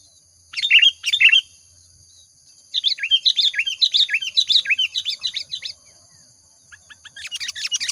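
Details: Sooty-headed bulbul in lively song, used as a lure: two short bubbly phrases, a pause, then a three-second run of quick rising-and-falling chirps, ending with soft chatter; a faint steady high hiss runs underneath.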